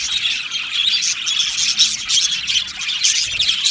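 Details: Australian budgies chattering in an aviary, a thick layer of shrill squawky chirps and rasping warbles from many birds at once.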